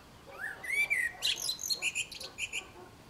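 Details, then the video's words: Common blackbird song phrase: a mellow, rising fluted whistle opens, then turns into a rapid string of high, thin, squeaky twittering notes that fade out over about two seconds. "Чёрный дрозд - пение черного дрозда"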